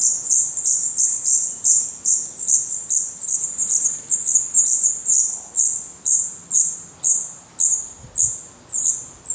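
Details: Black redstart chicks in their nest in Portugal, eyes open, feathers growing, give high sibilant begging notes in quick bursts, about two a second, slowing and spacing out toward the end.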